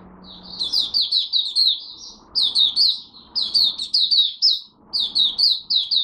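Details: Caged Malaysian oriental white-eye giving its first morning warm-up song of the day: bursts of high, thin, downslurred chirps strung in rapid phrases of about one second, separated by short pauses. A faint low hum sits beneath.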